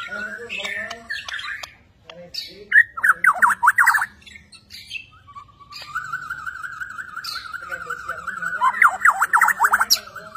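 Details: White-rumped shama from Borneo, a newly acquired kept bird performing actively, gives mid-pitched rapid warbled phrases with buzzy descending bursts, then a long steady wavering trill followed by more rapid rolling notes.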